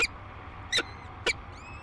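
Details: Peregrine falcon at its Minnesota cliff nest overlooking the Mississippi River, the day two chicks hatch. Three short, rasping notes sound about half a second apart, followed by a faint high thin whistle, over low background hum.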